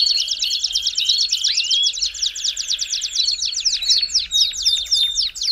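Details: Belgian canary song meant to quickly warm up another canary: fast rattling trills of high descending notes, about four per second, broken by clear whistled tones and one upward sweep.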